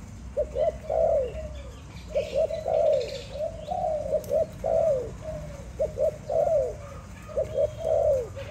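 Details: Malay dove kept as a pet, giving soft, rolling coos: short staccato notes run into longer trilled, slightly falling phrases, repeated in bursts roughly every second or two, with faint background hum.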